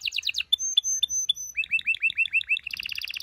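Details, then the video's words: Canary singing to stimulate mating: brief fast trill, a few clear high piping notes, then a run of quick rising chirps and a closing rapid trill. "غناء طائر الكناري لتحفيز و تحضير الاناث و الذكور للتزاوج"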